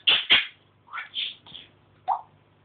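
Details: Indoor African grey parrot chatting away in speech-like mimicry: two loud raspy syllables, then a run of quicker babbled sounds and a final short vocal note.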